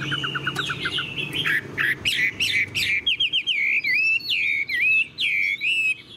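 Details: Tame caged male Chinese hwamei with yellow plumage, blue eye-ring and broad tail, kept without a female yet singing steadily, gives a loud, varied song of rich whistles, slurred rising and falling notes and quick chirps in rapid bursts over a low hum.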